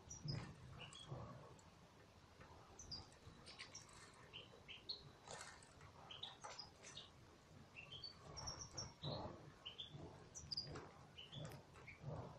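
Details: European goldfinches in an aviary: short, bright, sliding chirps and twitters come scattered throughout, some in quick pairs, over a low rumble and soft wing-flutter noises.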